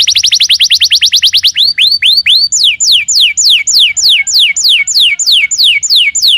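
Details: Canary song played as a lure for another canary to answer: a rapid series of high rising notes, a few slower looping whistles, then evenly spaced downward-sliding whistled sweeps about three per second.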